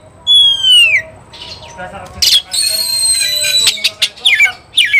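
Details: Agitated Oriental magpie-robin singing while seeking a fighting rival: a clear whistle sliding downward, a pause, then a long buzzy, grating phrase followed by quick scratchy flourishes.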